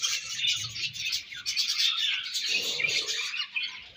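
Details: Budgerigars chattering during feeding and food exchange: busy, high, scratchy warbles and chirps overlapping without pause, plus a short lower rustling sound midway.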